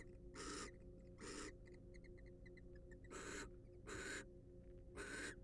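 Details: Wild barn owls recorded at a research nest box camera. Long rasping hiss-screeches come in pairs with short gaps, while faint, soft, clicking chitters sound between them and a constant low hum runs underneath.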